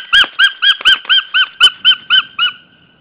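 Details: White-tailed Eagle calling at its nest in Estonia, March 2013, early breeding season shortly before mating, ringed larger female with male. Ten clear yelping, slightly arched notes, about four each second, steadily weakening toward the end, with sharp clicks among the first notes.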